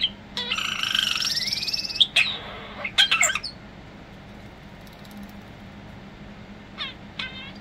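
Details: Indoor pet European starling singing on a monitor: a loud buzzy, grating phrase with a rising whistled slur, then scattered clicks and squeaks, followed by near silence and two short chirps at the end.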